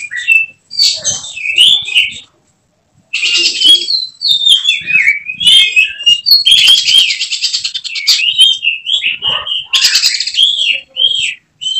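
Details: Caged oriental magpie-robin (kacer) seen as a contest prospect, pouring out a long varied song alternating buzzy rattling bursts with looping whistled phrases, almost without pause.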